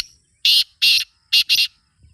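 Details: Black francolin giving loud, grating call notes: two long harsh bursts, then a rapid pair, clean and close.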